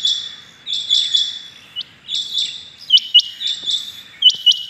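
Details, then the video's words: Rain quail calling on the morning of 6 July 2021 give sharp, metallic, high-pitched notes in quick pairs and triplets, repeated in bursts with short pauses, several calls overlapping at times. "today rain quail calling"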